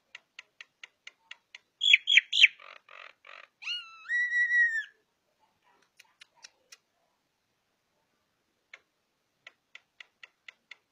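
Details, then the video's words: Javan myna with white eyes, recorded as a tutor song for songbirds: dry ticking clicks, then squeaky strident notes, scratchy bursts and a long rich whistle rising then holding steady, before more spaced clicks. "Suara asli jalak kebo mata putih untuk masteran"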